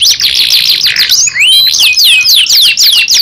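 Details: Young canary: a dense buzzy trill gives way to clear downward-sliding whistles and quick repeated swoops, all high-pitched.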